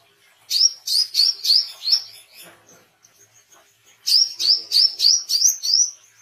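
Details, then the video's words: An actively singing Oriental white-eye, used as training and luring sound. Two bursts of about six bright, falling chirps come roughly two seconds apart. "WICEH GACOR SUARA BESET"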